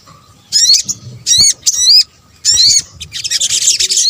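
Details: Sogok ontong, or sunbird, calls combined for luring birds: four distinct loud phrases of stacked, high, rising-and-falling whistled notes, each under half a second, then a rapid thin chatter to the end.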